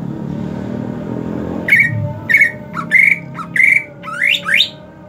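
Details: Greater green leafbird, hot season, kept: after a low rumbling start come evenly spaced loud harsh whistles, one brief low note between, and two steep upward-slurred sweeps to finish.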